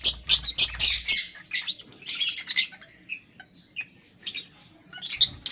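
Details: Lovebirds calling with high, piercing chirps in a quick, uneven series, then scratchy chatter and scattered thin squeaks, ending with a few more sharp notes.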